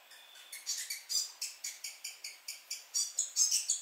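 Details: New Zealand fantail singing in the rafters at Belk Road South, Omanama, in March 2019: a rapid series of thin, high squeaky chirps, repeated about twice a second, rising in loudness toward the end.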